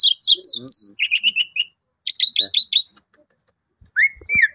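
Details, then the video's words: Pet Asian pied starling, played with before Friday prayer to tame it, giving high squeaky chattering notes in quick series, a pause, more chirps, then a rising whistled slur, with faint clicks in the background. "Jalak Suren Gacor Full Isian"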